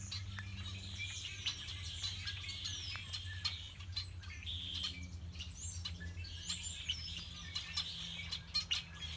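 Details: Songbirds singing at Beddis Beach on Salt Spring in February: many overlapping high chirps, trills and short whistled notes from several birds, with a constant low rumble underneath.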